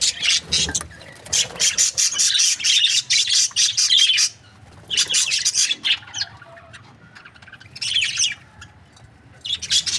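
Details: Budgerigar breeding pairs giving a long run of rapid, scratchy high chirps that merge into dense chatter, then breaking into shorter separated bursts after a brief quiet spell.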